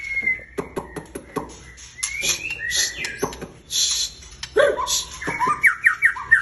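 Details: Caged white-rumped shama with a very long tail, singing in full voice: loud clear whistles near the start, then a run of sharp clicks, followed by sliding and rising whistled phrases and quick chattering notes toward the end.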